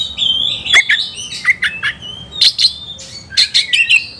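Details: White-rumped shama, a songbird kept for singing, agitated and seeking a rival to fight; loud varied phrases of whistled notes and harsh squawks in short bursts, with sharp clicks and rapid pitch jumps, in a quiet indoor setting.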